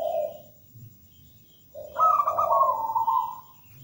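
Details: Local wild zebra dove singing persistently, a melodious perkutut song: a low trilled coo, a pause, then a longer bubbling phrase that steps up and rolls down in quick pulses. A soft low murmur runs underneath.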